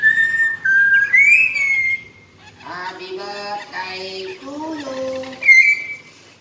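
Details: Year-old common hill myna, a clear, frequent talker: loud sustained whistles for about two seconds, one rising then levelling, followed by a run of voice-like spoken syllables and a final bright whistle.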